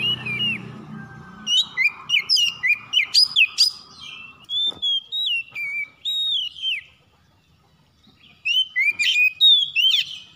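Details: Morning call of an Oriental magpie-robin (kacer): a low rumble at first, then a fast series of sharp whistled chips, then longer wavering whistles, a brief pause, and another rapid burst of bright notes.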